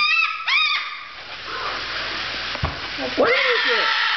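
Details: An excited, happy umbrella cockatoo on a kitchen floor indoors gives harsh, harmonic squawks: two rising-falling calls at the start, then a burst of rough screeches near the end, with a person speaking and faint background hiss.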